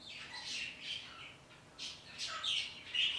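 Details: A parrot calling to outdoor birds early in the day gives rough, squawky chirps and thin whistles in scattered bursts, getting louder toward the end.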